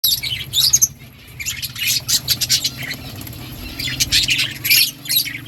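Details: Budgerigars chirping: bursts of scratchy, high chattering notes come in quick clusters separated by brief lulls, with a steady low hum underneath.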